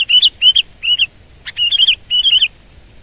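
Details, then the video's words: Sooty-headed bulbul (kutilang) singing actively, full-power gacor style: bright, warbled, slightly bubbly phrases of about a third of a second, repeated in quick succession with short gaps, loud and clear against a quiet background. "Kutilang Gacor Garuda Suara Full Power"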